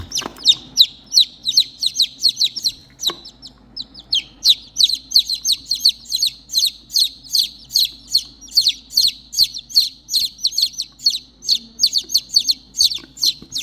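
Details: Three motherless baby chickens peeping for their lost hen: a steady stream of shrill, downward-sliding chirps, roughly two or three each second, loud and insistent throughout, with a faint low hum beneath.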